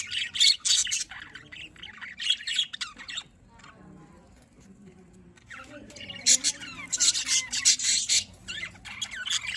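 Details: Morning calls of budgerigars: bursts of shrill chirping and squawking, a quieter stretch with low murmuring in the middle, then the dense high chatter returns even louder.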